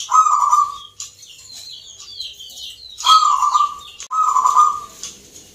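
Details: At a Yogyakarta singing contest, Indonesia, a local zebra dove gives trilled coo phrases in Mentaraman rhythm. Three purring phrases come with gaps of two seconds and then one second, under busy high twittering from other birds.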